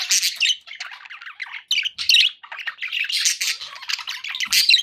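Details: Pet budgerigars chattering happily together, bursts of harsh, buzzy warbling and high chirps following one another with only short gaps.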